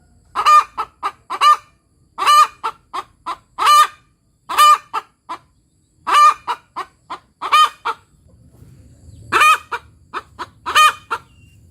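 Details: Ayam kampung hen cackling 'tok tok petok' after laying: an even series of loud nasal drawn notes, each led by two or three short clucks, about every one and a half seconds; low rumble joins toward the end.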